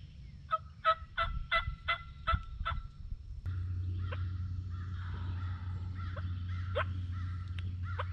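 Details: Turkey during opening day of the 2023 turkey season in Tennessee: a rapid string of seven ringing harmonic notes in the first three seconds, then low steady engine-like hum with a few scattered fainter notes.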